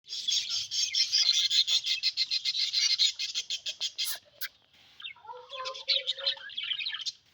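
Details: Baby budgerigar at hatching: a fast series of raspy, high chirps, then a soft, wandering warble.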